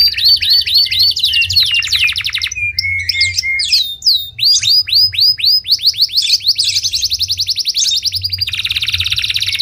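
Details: Canary singing loudly and continuously: rapid repeated rising whistled notes, fast rattling trills, sliding sweeps and buzzy rolls changing every second or two, with a faint low hum underneath.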